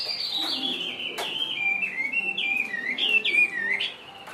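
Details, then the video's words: Chinese hwamei, a wild-caught bird kept in a cage, singing a loud, varied whistled song of sweeping and looping phrases that slide and warble, some broken by sharp notes, delivered continuously. "HM 438 mộc dở ngũ trường hót là xòe"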